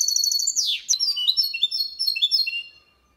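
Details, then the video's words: Goldfinch × canary hybrid singing a clean Malaga-style song, used to stimulate male goldfinches and hybrids to sing and chicks to memorise: bright high twittering notes, a sharp downward sweep, then fast varied warbled phrases fading out. "Mixto jilguero cantando copia malaga _ Hybrid of goldfinch singing for training songs"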